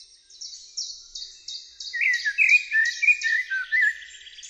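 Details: Common blackbird, a persistent forest singer in spring after returning to its breeding territory, sings mellow, fluting warbled phrases; behind it a thin, high note repeats about three times a second, probably another bird.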